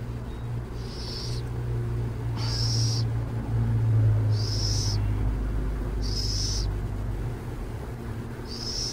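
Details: Near San Jose, a burrowing owl gives five raspy, hissed screeches at roughly one-and-a-half-second intervals against a continuous deep background hum.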